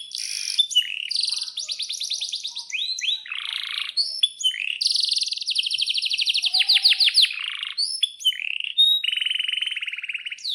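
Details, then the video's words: A canary sings a long rolling song with sharp chirps, used to lure other canaries into song. Rapid high trills and buzzy rattles alternate with sweeping whistles, packed densely with no pauses. "suara kenari gacor panjang"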